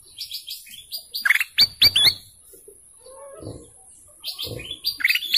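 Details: Golden canary singing: bursts of high chirped and slurred notes, a quick run of sharp downward-swept notes in the middle, then a further cluster of bright chirps after a short pause with faint low rustling.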